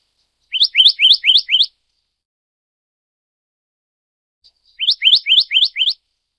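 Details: Black-naped Monarch of the Taiwan endemic subspecies Hypothymis azurea oberholseri gives two quick runs of five sharp, rising whistled notes, about four per second, with a pause between runs and nothing else heard.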